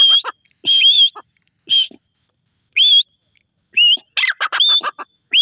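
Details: Grey francolin giving rising, whistled notes with a clear upward twist, about one per second, some doubled, followed by a noisier burst of several overlapping harsh notes near the end.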